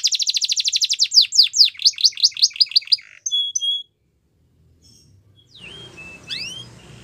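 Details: Canary song for young canaries in training: a rapid trill of sweeping notes that slows into separate slurs, a pair of flat whistles, silence, then soft rising calls over faint background noise.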